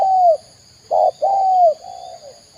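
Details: Spotted dove calling in Indonesia: a few mellow, low cooing notes, one long slightly falling coo, a short double note and further softer drawn-out coos, with a steady faint electronic whine in the background.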